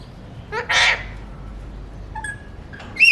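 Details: Talking pet Alexandrine parakeet, a mutation bird, giving a quick two-part utterance: a short harmonic syllable and then a harsh, breathy voiced burst, followed by faint thin whistles and a sharp squeaky note at the end.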